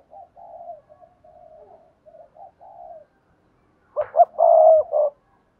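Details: Spotted dove in the Cườm Sa song style, hạp bổi voice: several quiet, wavering murmured coos, a pause, then a loud phrase of two short coos, a long coo and a final shorter coo.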